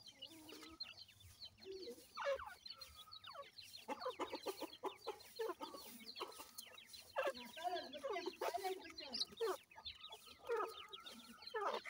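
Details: Grey francolin mother feeding her chicks, the young calling to her: dense bursts of short, sharp, high chirps and peeps in quick irregular clusters, with lower soft clucking notes mixed between them throughout.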